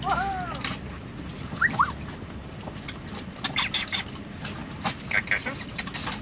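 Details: Pet African Grey Parrot, female, living on a sailboat in the Caribbean; an arched wavering call opens the clip, followed by two quick rising whistles and faint higher chirps over background noise.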